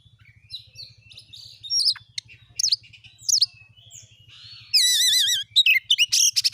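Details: Kacer, or Oriental magpie-robin, singing a lure song: scattered high notes at first, then a wavering warbled phrase and quick repeated chirps, over a faint low hum.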